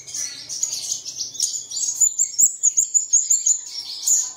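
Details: Lure for caged birds to begin singing in the early morning, featuring jumbled high tweets, then a rapid run of about a dozen evenly repeated sharp notes.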